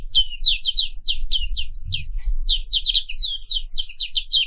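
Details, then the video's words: Morning song of a black-capped white-eye, Zosterops atricapilla, an Indonesian endemic: a steady, continuous run of high, quick falling chirps, with faint low rumble underneath. "Suara Terapi Pagi Pleci Papua Wiklus | Auto Aktif & Ngerol Terus"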